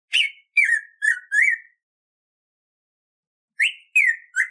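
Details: Saltator fuliginosus, the black-throated grosbeak, in song used to teach captive birds: four quick descending and rising whistles, nearly two seconds of silence, then three more whistled notes, clean and without background noise.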